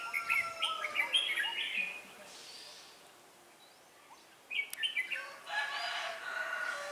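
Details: Red-whiskered bulbul used as a decoy during trapping, singing to challenge rivals: short bright warbled phrases in bursts, with a pause midway before more chattering phrases, over faint outdoor background noise.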